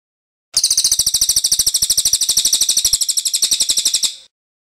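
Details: Loud, long 'ngeroll' roll from a Cililin, a crow relative: a rapid train of shrill, bright chirps, evenly spaced at roughly twelve per second for about three and a half seconds, ending cleanly into silence.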